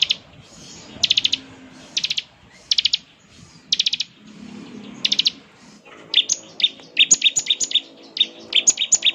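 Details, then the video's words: Bar-winged prinia calling: clustered bursts of sharp, high buzzy notes repeated about once a second, then a faster run of bright chirps with a faint low hum behind. "ciblek gacor, suara NGEBREN seperti ini paling ampuh bikin ciblek IKUT nyaut"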